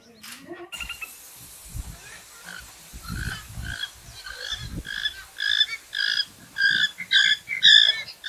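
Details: Western swamphen, Porphyrio porphyrio, giving a run of nasal, honking notes that grow louder, about two per second, with low thumping and rustling sounds underneath.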